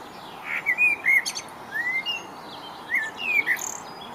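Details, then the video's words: A male common blackbird in Rombergpark botanical garden, Dortmund, on 5 June 2015 sings two short, mellow whistled phrases about two seconds apart, each slurring up and down and ending in high, squeaky twitters over a soft background hiss. "Blackbird Song"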